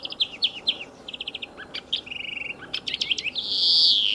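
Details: European greenfinch at the edge of a racing circuit delivering quick chirps and short trills, a rattling run of even notes, then a rising drawn-out nasal wheeze to finish.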